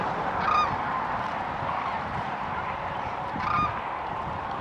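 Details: Sandhill cranes on spring migration stopover near Kearney, Nebraska: two brief, rolling, trumpet-like calls about three seconds apart, over a steady wash of wind and distant flock noise.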